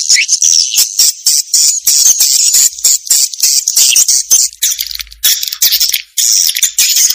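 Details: Swiftlet lure sound in the Vietnamese 'janda' (widow) style, a calling sound: high, fast twittering chatter with sharp dry clicks, broken by short gaps throughout.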